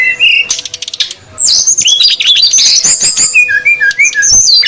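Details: Noisy lure calls of female and male srdc birds meant to draw in wild ones: a dense flurry of high sharp chirps and short whistled slurs, then clearer downward-curving whistles near the end.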